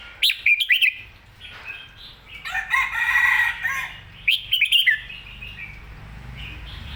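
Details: Spirited red-whiskered bulbul song: a rapid cluster of bright upslurred whistles, a pause, a full liquid warbling phrase, then another quick run of sharp rising notes and a soft trailing note.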